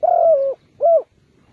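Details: Decoy spotted dove for bird trapping: one long, slightly falling hollow coo followed by a shorter rounded coo, clean and close with no other sounds.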